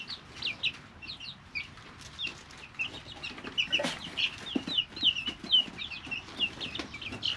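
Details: Young chicks, three weeks old, in an indoor brooder; quick high cheeps about twice a second, irregular and overlapping, with a louder scuffle and clicks near the middle.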